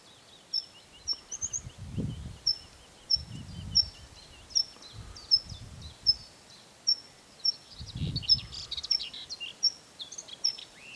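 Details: Tree pipit singing: a series of thin, high, repeated notes around every half second, with buzzy trills toward the end, over low rumbling background noise.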